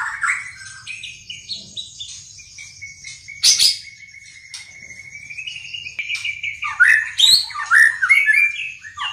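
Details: White-rumped shama composing its song: pure whistled notes, one long held steady and gently rising, then a rapid burst of varied, tumbling chirps and squeaky phrases.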